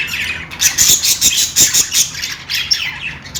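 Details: Playing budgies chatter continuously in rapid, buzzy chirps and short squawks that rise and fall, pulsing several times per second.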